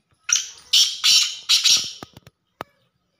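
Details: Black francolin call: three loud, harsh, grating broadband notes in quick succession, each about half a second long, followed by a few short clicks and taps.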